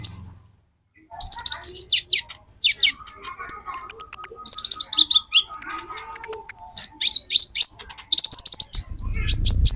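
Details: Olive-backed sunbird, metallic konin type, played as a lure: fast, busy high-pitched twittering and chirping, many notes in quick succession with brief trills, after a second of quiet at the start.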